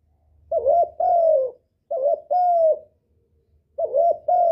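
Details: Spotted dove giving lure calls that rouse a decoy bird and attract males: three evenly spaced phrases of a wobbly short coo leading into a sustained falling hoot, faint low hum early on.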